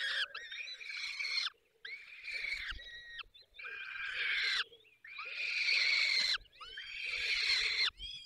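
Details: Feeding time at a falcon nest in the Barycz Valley, Poland: loud, scratchy, wailing calls over a second long, repeated about every one and a half seconds with brief silences between.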